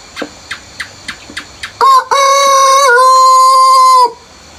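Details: Rooster crowing at early morning before sunrise in the countryside: a series of six soft clucking or pecking notes, then one loud crow with a short lead-in and a sustained harmonic tone that steps up midway, lasting about two seconds.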